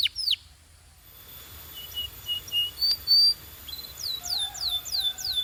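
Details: Canary training song: an opening swept note, a mostly quiet pause with soft flat whistles, then a regular series of descending slurs near the end.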